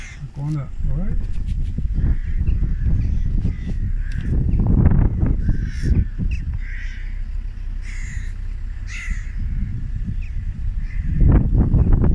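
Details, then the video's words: Hundreds of crows in a flock in the Mendips, harsh cawing calls overlapping from many birds throughout, mixed with a human voice speaking and heavy low rumble of wind or handling noise. "Hundreds of Crows in the Mendips"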